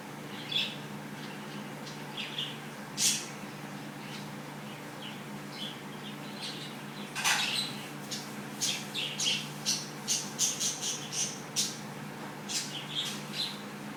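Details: A female pet cockatiel getting her daily head scratch gives a string of short, scratchy chirps and squawks, quickening in the second half.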